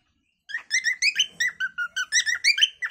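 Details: Natural calling song of a cockatiel: after a short silence, a fast series of clear, harmonic whistled chirps, evenly spaced and steady in pitch, with a few rising notes.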